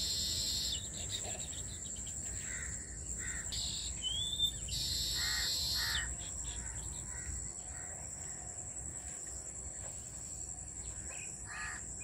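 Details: Colony of weaver birds at work on their grass nests, crowded into one farm tree, giving harsh buzzy chatter in broken bursts with a few sharp notes, and a constant shrill insect drone underneath.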